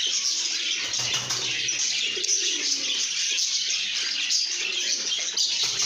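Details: Happy lovebirds producing an unbroken flood of bright, high chirps and whistles, with one faint low descending coo near the middle.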